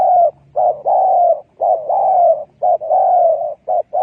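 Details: Spotted dove calling as a trapping decoy: a rapid run of short clipped notes alternating with long steady coos, almost continuous, about one phrase per second.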